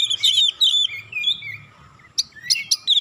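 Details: Oriental magpie-robin song used to coax other birds into singing; tumbling whistled phrases with buzzy high chirps, a brief lull, then sharp rising notes resuming near the end.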